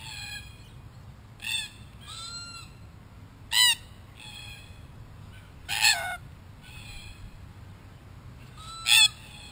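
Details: Wild red-tailed black cockatoos in Australia, a gang around a camera they later damage: repeated rasping, buzzy squawks every second or two, a few louder, with two smooth rising whistled notes between.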